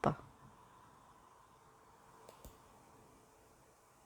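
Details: Near silence in a small room, with a sharp click at the start and two faint ticks later, and no animal sound.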